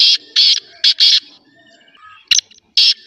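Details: Kala teetar, the black francolin, uttering loud grating buzzy notes in quick succession, a short gap, then two more sharp rasping bursts, with faint thin whistles between.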